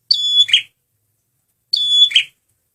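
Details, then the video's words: A male red prinia sings two lure phrases, each a high thin whistle running into a loud buzzy trill, about one and a half seconds apart. "SUARA BURUNG PRENJAK MERAH PEMIKAT GACORRR"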